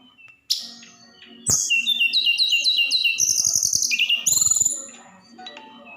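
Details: 'Roll tembak' song of a snowy-browed flycatcher, intended to set other birds singing: a sharp chip, then rapid high whistled phrases rising and falling, a buzzy roll and a fading end, with low rattling taps.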